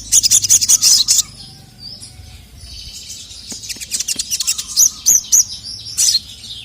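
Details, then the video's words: Sogon, female calling a male who replies angrily; a quick volley of piercing high chirps, then a quieter stretch of faint chatter, then more sharp tweets in uneven bursts. "SOGON GACOR LANGSUNG NYAUT EMOSI NGAMUK DENGAR SUARA BURUNG SOGON MEMANGGIL JANTAN INI"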